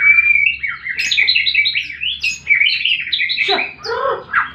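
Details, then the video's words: White-rumped shama in a fighting-style song used to provoke silent birds into singing: a fast, unbroken run of rich rising whistles mixed with harsher chattering notes, phrases tumbling into one another. "Murai batu tarung pancing bunyi burung macet"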